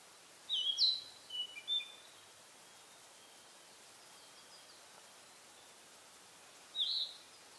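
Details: Narcissus flycatcher perched in a pine forest in spring, singing to claim territory. One loud phrase of bright, looping whistles is followed by a quiet pause of about five seconds, then a single short whistled note.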